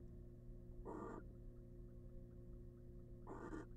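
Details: Wild incubating female barn owl in a nest box gives a pair of short, rough hissing bursts about two and a half seconds apart over steady background humming.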